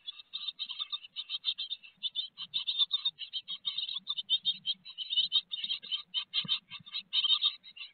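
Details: Great tit nest box in Théding, France, 4 May 2021, a big peanut being served; steady stream of shrill, buzzy pulses in fast succession, plus soft low knocks and rustling inside the box.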